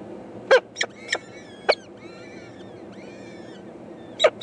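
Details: Four young peregrine falcon eyases begging their mother for food, 14 May 2012: a few short, harsh chips at irregular intervals, with faint thin whistled notes between them over a low steady background hiss.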